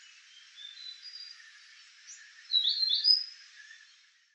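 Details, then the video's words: Male White-tailed Flycatcher in submontane Malaysia, July 2024, gives high, thin whistled notes, faint at first, then a brighter, louder burst of sweet rising and falling phrases near the end. "White-tailed Flycatcher (male)"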